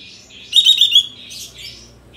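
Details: Sooty-headed bulbul, tail-spread bird, full filler lure song meant to excite others into shooting song. One dense, high rattling burst of half a second, followed by softer, fading warbled phrases.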